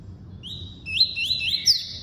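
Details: Double-collared seedeater delivering its tuí-tuí song: a clear high whistle followed by three quick rising slurs in a row and a bright final upsweep, loud and close, with faint low hum behind.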